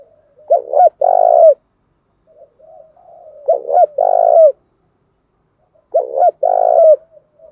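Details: Spotted doves, male and female, used to stimulate cooing; three evenly spaced low phrases about every two and a half seconds, each a short double note then a drawn-out coo, with soft murmured notes between.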